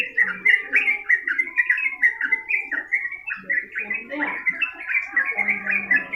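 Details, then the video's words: Sooty-headed bulbul singing nonstop in a long-running 'gacor ngedur' style, used as a training recording: bubbly, warbled phrases of quick rising and falling notes packed closely together, with low steady cooing tones underneath at times. "trucukan gacor ngedur durasi panjang"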